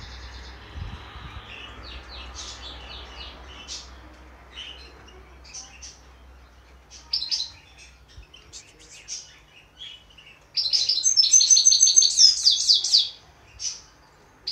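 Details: Goldfinch hybrid singing: scattered thin high chirps and short twittered notes, then a dense, rapid, buzzy twittering burst near the end, over faint low background rumble.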